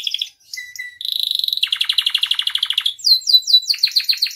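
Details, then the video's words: Canary in full trigger song: short high notes, then a long steady trill that drops into a lower buzzy rattle and ends in quick rising whistled slurs. "SUARA KENARI AMPUH [#15] MASTERAN DAN PANCINGAN KENARI GACOR FULL ISIAN"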